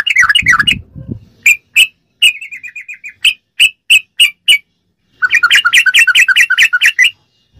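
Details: Sooty-headed bulbul ropelan song used to train captive birds: a fast chattering burst, spaced sharp chirps with a soft trill between them, then a long rapid rattling run of notes.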